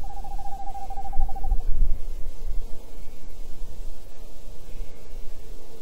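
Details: Tawny owl pair, male and female, heard 28 January 2011: a clear quavering note with rapid pulses runs about one and a half seconds, then fades into hiss and low rumbling noise.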